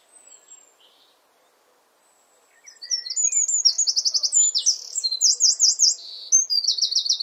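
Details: Garden wren near its nest, singing from a favoured perch: after faint high notes, a loud, fast song of rattling trills and bright chattering phrases pours out for over four seconds.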